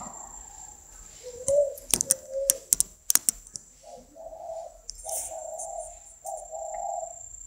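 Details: Spotted dove cooing a series of soft, low, drawn-out notes, with sharp tapping clicks heard during the first half.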